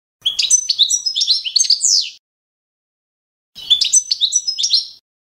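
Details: Standard Balkan goldfinch competition song, subspecies balcanica, used as a training example: two rapid phrases of sweet, jingling notes with a sustained high tone, the first ending in a sliding drop.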